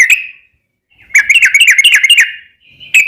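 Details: Used to coax other sooty-headed bulbuls into song, this bird gives a lone whistle, a pause, then a rapid bubbling string of short slurred notes and a final clear whistle.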